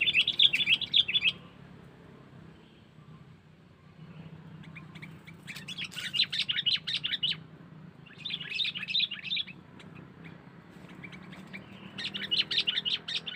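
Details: Sooty-headed bulbul lure call used to attract wild birds: bright, bubbly chirping phrases in quick bursts, each lasting about a second, recurring every three to four seconds over a soft low background hum.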